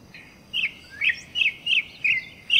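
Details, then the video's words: Campo troupial song: a run of six loud whistled notes around two to three kilohertz, each short and slurred, spaced roughly every half second against a quiet background. "MELODIA INCRÍVEL DO CORRUPIÃO!!!"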